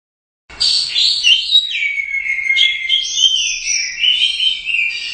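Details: Orange-headed thrush, a competition bird and first-place winner at the Royal Cup, singing in the gacor teler doyong style: a loud, unbroken flow of high, clear whistles that slur up and down with quick twittering trills.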